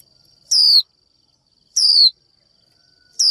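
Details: Calling female Japanese white-eye, a 'chíu' call aimed at males: three loud, sweet, falling slurred notes about one and a third seconds apart, each sliding sharply downward, over a constant faint high-pitched electronic whine.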